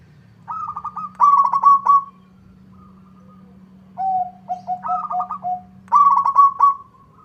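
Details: Local zebra dove singing repeatedly toward a rival: two trilled coo phrases in quick succession, a pause, lower short coos, then two more bubbling trills, with a constant low hum beneath.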